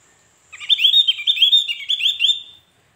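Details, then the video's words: Javan grey-throated white-eye song meant to draw answers from other birds: a fast, loud two-second warble of high, sliding whistled notes, bunched and run together, with faint higher overtones and a quiet background. "Opior Jawa manapun pasti Nyaut dengerin suara burung Opior Ini"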